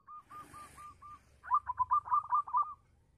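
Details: Zebra dove of the local type singing a lure phrase to make quiet doves answer: five spaced soft coos followed by a loud, fast rippling series of short staccato notes.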